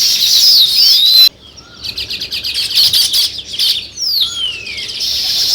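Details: Weaver birds chirping while building a nest: dense high chattering and buzzy sizzling notes, with a few sweeping whistles that slide downward. There is a brief hush after the first second, then the chatter resumes in quick irregular bursts.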